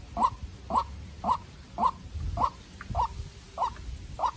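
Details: Farm-reared White-breasted waterhen decoy meeting a wild bird: eight short mid-pitched notes at a steady pace near two per second, with a low background rumble.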